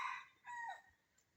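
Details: A wild red junglefowl, one of two or three calling in jungle beside a home on a cold, dark winter early morning, gives a short, hoarse crow-like call in two harsh bursts, the second sliding downward at its end.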